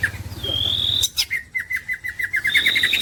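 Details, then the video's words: Green leafbird, a champion songbird used for masteran song training: a long level whistle, then a rapid series of sharp, clipped chirps, ending in a bright trill. A low hum runs underneath at the start. "this green cucak bird is a super luxurious suwara"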